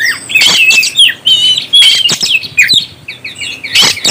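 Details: Oriental magpie-robin singing to provoke other birds, a rapid jumble of bright whistles, slurred trills and harsh clicks, loud and nearly unbroken.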